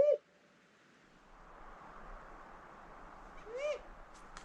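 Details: During a night owl survey on 25 April, in deep snow around 6:45, a great grey owl close by gives two soft, mid-pitched whoops about three and a half seconds apart, the second rising then falling, while another owl answers; faint rustling and clicks follow.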